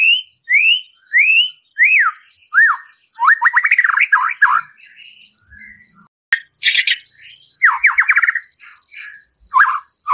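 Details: An actively singing white-rumped shama with fill-ins and harsh 'shot' notes, used to provoke another shama: sharply upslurred whistles, rattling trills, then loud noisy bursts and fast chattering runs, over steady high ticking.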